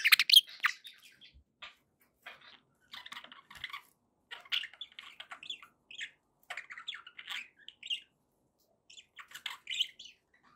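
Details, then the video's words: Happy pet budgies warble softly: a louder squeaky burst at the start, then short clusters of chirps and chattering notes separated by small gaps. "happy budgie sounds"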